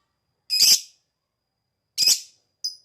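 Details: Lovebird call in the ngekek style, played as a lure to make other birds reply: two loud, raspy screeches about one and a half seconds apart, then a brief thin note.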